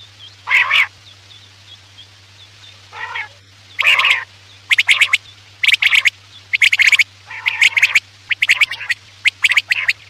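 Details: Quail calling at night as a hunting lure: harsh, rasping double and triple bursts repeated roughly once a second, faint thin high notes early on, and a constant low hum throughout.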